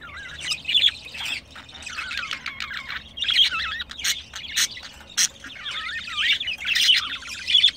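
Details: A pair of pet budgerigars recorded while mating: a steady, chattering warble of wavy, rapidly bending notes mixed with sharp clicks, short chirps and a few harsh squawks, running almost without pause.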